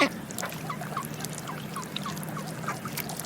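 Ducks give short, nasal quacks in a quick string, about two or three a second, over steady background hiss.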